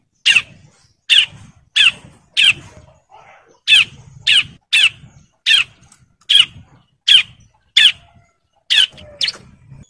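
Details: Bar-winged prinia male in breeding condition calling females with harsh, rasping single notes repeated at irregular intervals of roughly half a second to a second, with short gaps between groups.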